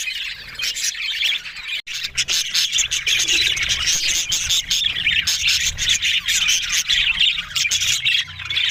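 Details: Budgerigar chorus of Australian parrots: quieter scratchy twitters at first, then a brief gap, followed by loud, dense, nonstop chattering and chirping.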